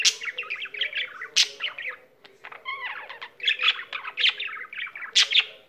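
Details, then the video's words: Singing pet budgerigar that does not stop once it begins: run of quick chirps and clicks, a short descending series of wavy whistled notes midway, then more scratchy chatter and sharp squeaks. "il cocorito canterino"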